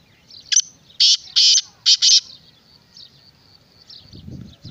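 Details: Black francolin giving a harsh, grating call of five loud buzzy notes: a short opener, then two longer blasts, then a quick closing pair, all over a quiet rural background with faint insect hum.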